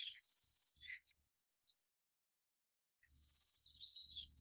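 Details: Rufous-faced Warbler while feeding chicks: a long, sharp, high-pitched rattling trill, a quiet gap with a few faint ticks, then another trill ending in a rising slurred flourish.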